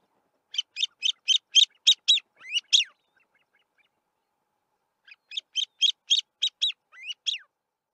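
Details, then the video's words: From a termite mound in grassland, a male Grey-winged Francolin calls in two phrases, each seven or eight grating notes, the last notes dropping in pitch, with a two-second gap between phrases. "Grey-winged Francolin call"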